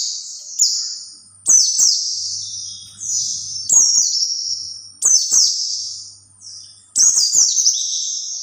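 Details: Lure song of a white-eye meant to attract other white-eyes: repeated high, thin warbled phrases roughly every one to two seconds, each opening with dry clicks and trailing off in falling twittering notes.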